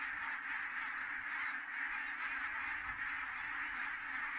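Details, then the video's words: Numerous geese coming down at Kulgur, Estonia, 4 May 2018 at 17:58: a steady, packed chorus of honks and cackles from the whole flock. "so many Geese landed"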